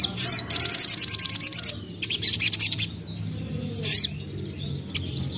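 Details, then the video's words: Young common iora (sogok ontong) song for luring birds to sing; a fast, even, high trill followed by a burst of chatter and one sharp whistled note. "Ampuh Untuk Pancing Bunyi Burung Sogon Bahan / Sogok Ontong Muda"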